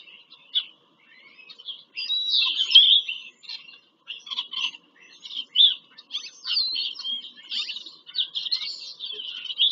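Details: Bald eagles visiting the nest in Pennsylvania farm country on 5 February 2023 give loud, excited high chatter. Dense runs of piping notes build up and then continue in uneven bursts.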